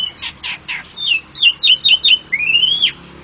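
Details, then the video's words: Javan pied starling in Indonesia: three harsh broadband rasps, then a run of short whistled notes near the upper-middle range, ending in a long rising whistle that drops sharply at the end. "bird jalak suren indonesia"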